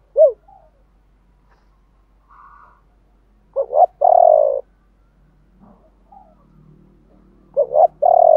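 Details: Spotted dove cooing, male and female voices used to stimulate trained doves to coo: a brief single hoot, then a stuttered low phrase of two quick notes and a long warbling coo, repeated near the end.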